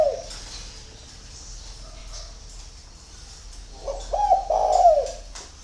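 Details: Early-morning spotted dove at Ba Vì, Hanoi, Vietnam: a brief coo fragment at the start, several seconds of quiet with faint high twitters, then one strong phrase of clipped coos flowing into a long falling note.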